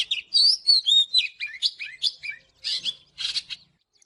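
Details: Morning song of an Oriental magpie-robin, played for training: bright whistled phrases with up-and-down slurs and scratchy chips, slowing toward the end before a final burst of harsh notes.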